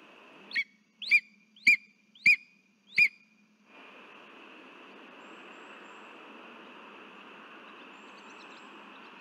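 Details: Lesser spotted eagle calling its mate at the nest while holding a frog, recorded 3 September 2023: a run of five piercing, descending yelps in quick succession, then steady broadband hiss for the remaining seconds.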